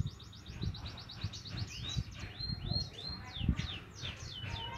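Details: Young Javan munia learning to chirp: rapid series of thin, high descending chirps, then curved rising-falling whistled notes, over steady low rumbling background noise.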